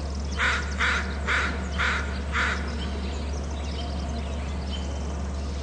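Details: Pair of bald eagles calling at their nest territory on Hornby Island. Five sharp, high notes come in a quick series about half a second apart and then stop, over a constant low hum.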